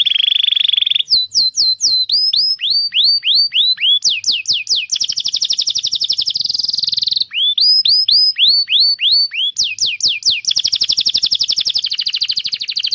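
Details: Canary training song for young birds and canaries that have stopped singing: varied tours of repeated sweeping whistles alternating with dense rapid rolling trills, loud and continuous.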